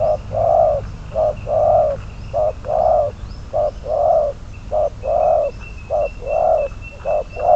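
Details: Spotted dove kept as a decoy bird for trapping, labelled number 22, giving low hollow coos that alternate long and short notes, roughly one per second, over a faint low rumble and thin high tones.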